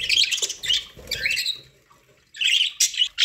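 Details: While feeding on corn, pet budgerigars produce quick scratchy chirps and squeaky warbles, then a pause and another loud chattering burst.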